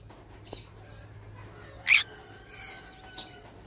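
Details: One sharp, raspy screech from a pet pineapple green-cheeked conure, surrounded by faint softer chirps and a low steady hum.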